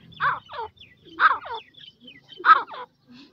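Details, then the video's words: Francolin (teetar, Dakhni teetar) calling, which marks its territory and attracts mates: loud, harsh, throaty phrases with rich overtones, each a rapid two-to-three-part burst, repeated about every 1.25 seconds against a quiet background. "teetar ko boli, teetar awaazz,dakhni teetar voice"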